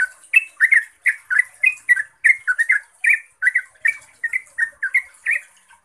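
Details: Yellow-vented bulbul in rapid 'ropelan' song, used as a lure to make other bulbuls answer: a fast, bubbly chain of short gurgling notes, about three per second, over a steady high hiss.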